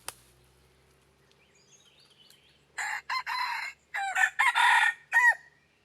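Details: Red junglefowl used as a decoy to lure wild junglefowl, crowing loudly after a quiet start: a broken, harsh crow in several bursts, ending on a bent, falling note, with faint distant bird calls before it.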